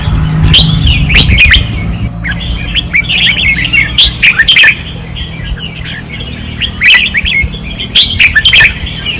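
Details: Caged red-whiskered bulbuls singing fiercely on a training perch in Pattani, 2024: repeated quick, bright warbled phrases from several birds, louder bursts at the start and near the end, over a low rumbling background.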